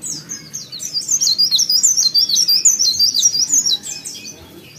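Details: Sooty-headed bulbul singing in full voice, a rapid, high twittering warble of slurred chirps and trills repeated for about four seconds before fading.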